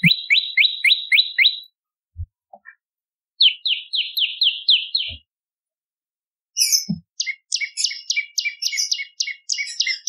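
Bar-winged Prinia singing bright, rapid bursts of repeated high chip notes, about four to five per second, in phrases of one to two seconds separated by short pauses.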